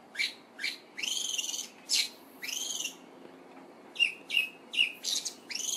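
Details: Olive thrush giving short calls. Brief upslurred notes and clipped whistles come singly and in small clusters of three to five, separated by short gaps, against a quiet hiss.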